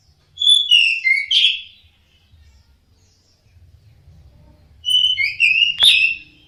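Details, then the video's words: Orange-headed thrush song used as therapy to prompt caged birds to sing: two phrases of whistled sliding notes ending in a sharp click-like accent, separated by a quiet gap with low background rumble. "TERAPI SUARA BURUNG ANIS MERAH DIJAMIN NYAUT DAN GACOR...."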